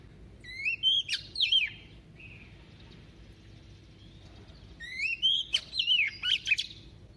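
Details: Decoy female Oriental magpie-robin singing in the double-voice style to arouse males: two bouts of rising, warbled whistles with sharp clicks, separated by a quiet pause with a faint held tone.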